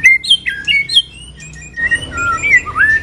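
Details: White-rumped shama during moult, singing in the pipe-tobacco style: loud, clear whistled notes that slide up and down, a short pause, then further varied whistles with a faint hum behind.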